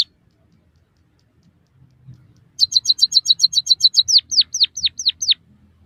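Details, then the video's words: Emprit kaji, the white-headed munia, in a song recording for tutoring captive birds. After a quiet start come about eleven rapid high ticks, then six whistled notes sliding sharply downward. "suara burung emprit kaji gacor masteran burung pipit bondol haji biar ngeroll"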